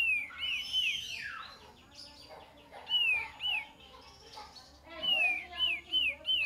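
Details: Kapas tembak singing on a lure recording: bright whistled notes that arch up and drop, given singly, then in a fast run of four near the end, with softer chatter between.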